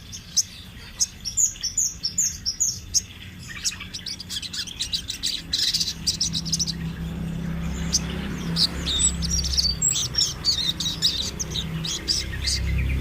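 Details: Rolling sunbird song used as a master for training birds: quick high ticking notes at first, then a busy stream of rapid sharp chirps, with a low rumbling hum growing underneath.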